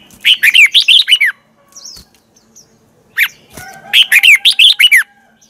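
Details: Red-whiskered bulbul decoy song in the twisting-voice style for morning singing practice. Two lively phrases of rapid rising-and-falling whistles are separated by a pause with a few faint chirps.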